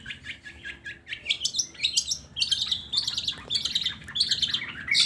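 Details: Lure recording of long-tailed shrike song meant to prompt reluctant shrikes to sing: a dense, continuous jumble of scratchy chattering notes that climbs higher in pitch as it goes.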